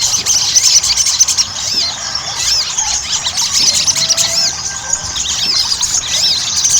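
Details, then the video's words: Ruby-cheeked sunbird song used as a lure to get kept birds singing quickly: a dense, continuous stream of thin, very high twittering notes and quick rising-falling slurs, overlapping without pause. "PANCINGAN SOGON AGAR CEPAT GACOR"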